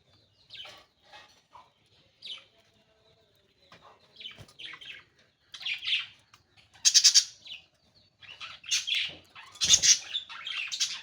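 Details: Pet budgerigar chirping: scattered short, scratchy high chirps at first, then denser bursts of warbling, buzzy chatter and sharp squeaks, with brief pauses between phrases and a quiet indoor background.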